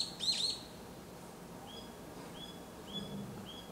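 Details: Common buzzard chicks in the nest close to fledging, 2022, begging with thin, high whistled notes that slur slightly, repeated roughly every half to three-quarter second against a quiet background.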